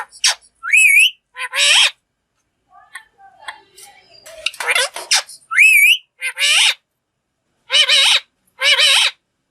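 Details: Green ringneck parrot kept as a pet, talking like a human: loud harsh squawky bursts with rising and wavering whistled notes, repeated in clusters, with quieter chattering sounds in the middle.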